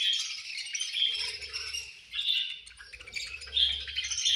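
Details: Budgies at feeding time giving a continuous warbling chatter punctuated by clear whistled notes about once a second, over a faint low hum.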